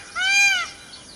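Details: A single drawn-out, bright, nasal wail from an Indian peafowl, rising slightly and then falling, about half a second long over a faint noisy background.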